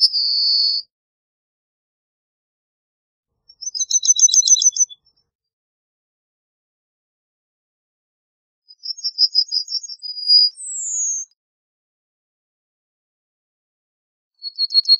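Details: Yellowhammer song phrases every few seconds, each a rapid run of high, dry repeated notes, one closing on a long sustained whistle followed by a short slurred downward note; quiet gaps between.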